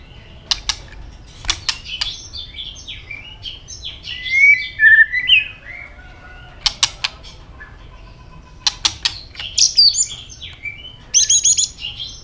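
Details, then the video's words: Scattered phrases of white-rumped shama fighting song: short whistles and warbles mixed with many sharp snapping clicks, with a brief high trill near the end. "chòe lửa chuyền hót đấu nết đập tạch đuôi chắc,kích chòe lửa hót đấu chớm lửa"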